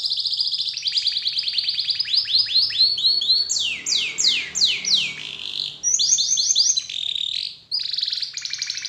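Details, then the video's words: Canary lure song meant to start other canaries singing: sustained high trills, series of sweeping descending whistles, then renewed fast rolled trills, loud and continuous. "PANCINGAN SUARA KENARI INI, DIJAMIN IKUT GACOR DAN BUNYI"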